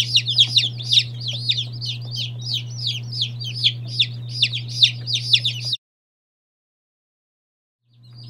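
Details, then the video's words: Day-old chicks, among them Lavender Orpingtons, Legbars and Salmon Faverolles, peep busily with overlapping high falling notes before a sudden silence, then a low hum returns. "Fluffy Butt Chicks"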